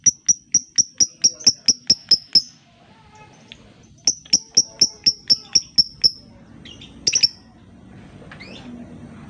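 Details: Lovebird lure sound to make quiet lovebirds sing: two long runs of sharp, evenly spaced, high ticks, about four per second. A short harsh burst follows, then faint background murmur.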